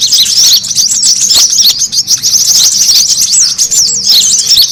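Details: Busy brown-throated sunbird calling played as a lure to attract birds. Sharp, thin, high twitters and quick up-and-down chirps overlap continuously in a crowded, excited chatter with no pauses.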